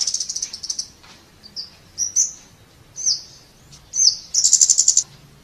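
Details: Scarlet-backed flowerpecker: high, thin sharp chips and brief slurred notes spaced about a second apart, with a rapid ticking trill near the end.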